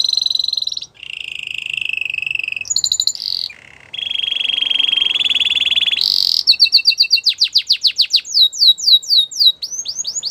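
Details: Canary singing in the Belgian canary song style: a fast run of high, varied phrases, with long steady buzzy trills, a rattling roll, then rapid repeated rising and falling whistled notes at about four per second, clean and without background noise.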